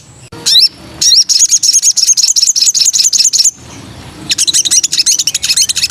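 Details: Female sooty-headed bulbul in breeding condition, calling for a male, gives sharp high twittering notes in fast runs, broken by a short gap before another burst of quick chirps.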